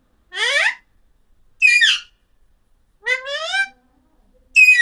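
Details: Alexandrine parakeet giving four loud, harsh, rich calls, each under half a second long, separated by silent gaps of about a second; several rise sharply in pitch, with a raspy, screechy tone.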